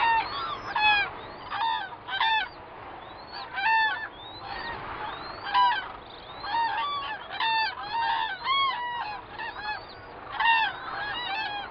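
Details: Common cranes at Gallocanta, recorded from a hide on 2 February 2013, give loud, rolling trumpeting calls, many birds overlapping in bursts every second or two, with a low background hum.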